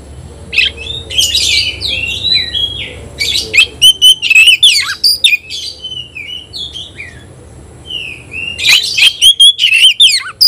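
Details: Oriental magpie-robin in energetic competitive song toward a rival: repeated bursts of shrill whistles and scratchy chatter, a softer interlude of gentle whistled slurs, then a renewed loud run of ringing notes.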